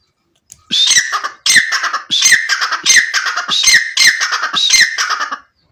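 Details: Francolin, known locally as irani titar, giving loud, harsh, rasping call phrases in a steady rhythm, about one every 0.8 seconds, six in a row in a quiet, close setting.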